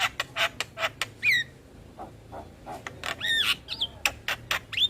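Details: Javan myna, singing in a lure track for stressed or silent mynas. Harsh rasping notes alternate with clear rising and falling whistled slurs.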